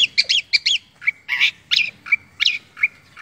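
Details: Long-tailed shrike kept by bird hobbyists, producing mimicked song: harsh squeaky chattering notes alternating with flat nasal tones, irregular and scratchy, roughly three per second.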